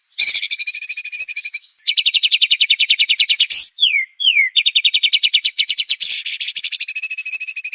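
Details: White-rumped shama singing a clear 'tembakan' competition master song for birds to learn: long rapid-fire trills of rattling repeated notes, broken at mid-point by two sweeping downslurred whistles, then more dense fast trills.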